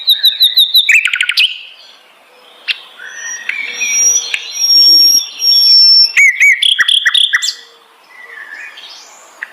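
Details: Flycatcher known locally as sikatan londo in varied song: quick stuttering high notes, long thin whistles, rattling bursts and falling chirps in a busy, changing sequence.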